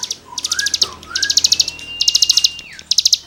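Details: Cigun singing for use in songbird tutoring: clusters of quick, high ringing notes in short bursts, mixed with rising and falling thin whistles from another bird.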